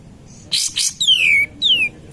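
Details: A cream-vented bulbul (kapas tembak) gives lure song to excite other birds: two rough, noisy bursts, then two descending whistled slurs, the first longer than the second.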